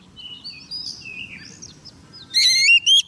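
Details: Oriental magpie-robin female, a decoy for trapping, calling a male: soft, faint wavering whistles for two seconds, then two loud, harsh, buzzy bursts at the end.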